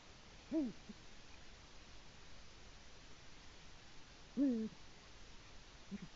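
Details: Calling for his mate from the nest, a male Eurasian eagle-owl in Latvia, nest cam, dawn on 5 March 2018: two low, bowed hoots about four seconds apart, then a faint short third note, over constant hiss.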